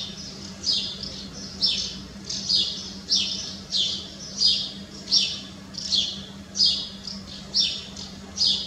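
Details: A common house martin (Delichon urbicum) repeats a dry, buzzy, high-pitched chirp about every 0.7 seconds, steady, with a faint low hum behind it.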